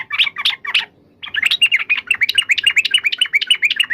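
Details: Yellow-vented bulbul giving three quick, separate bubbly notes, then after a brief pause a steady run of rapid, repeated warbling chirps that keeps going to the end; faint low background noise.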